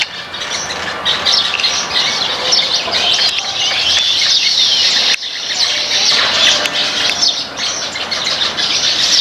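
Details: Backyard flock of Baya weavers feeding on grains: a steady wall of high, thin chirps and tweets from many birds at once, overlapping without pause, with a short break in the chatter near the middle.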